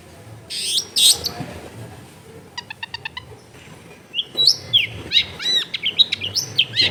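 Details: Long-tailed shrike singing, recorded in a densely populated residential area as tutor material for a stalled shrike: loud harsh notes, then a rapid pulsed trill and a lively series of looping, bouncing whistles.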